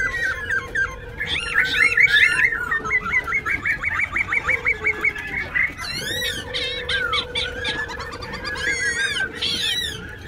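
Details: Wild-caught Black-throated laughingthrush in a cage at Tân Túc, Bình Chánh, Ho Chi Minh City, in dancing song. A fast rapid-fire string of short repeated notes, then sharp sweeping high whistles and harsh squeals, with a steady low hum behind.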